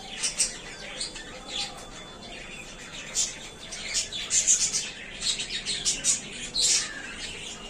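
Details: Very happy budgies in their new small cage produce clear, high tweets and chirps, loosely spaced at first, then denser bursts of squeaky chatter toward the end.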